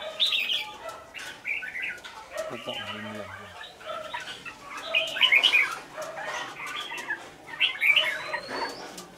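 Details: Red-whiskered bulbul decoy in a cage, from Lương Sơn, in fighting song: loud chirpy warbled phrases that peak in strong bursts near the middle and end, with sharp clicks and a brief low, voice-like hum.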